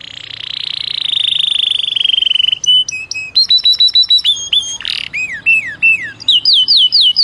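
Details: Belgian canary song used as a training recording for young birds: a long high buzzy trill, then crisp repeated short whistled notes, a burst of descending slurred whistles, and fast rising-falling whistles repeated in quick series.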